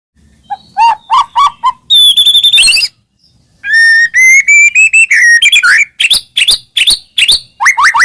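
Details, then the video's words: White-rumped shama song used to prompt other shamas to answer: loud clear whistles, buzzy harmonic phrases, and rapid ringing notes with short pauses. "masteran burung murai mewah"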